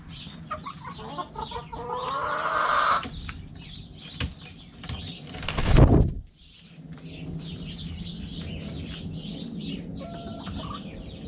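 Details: Backyard chicken coop: a rooster gives a strained harmonic crow lasting about a second, followed by a loud burst of wing flapping, then soft clucks and chatter in the background.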